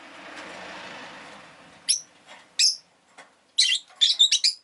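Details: After a stretch of broad background rumble, a pet rosy-faced lovebird gives spaced harsh chirps, then a rapid run of grating squeaky notes.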